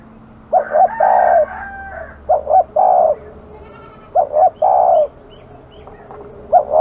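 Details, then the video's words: Aggressive spotted dove in a village, repeating its cooing phrase four times, each a double pip and a long hollow coo; faint high chirps and a low hum in the background. "burung terkukur kg galak"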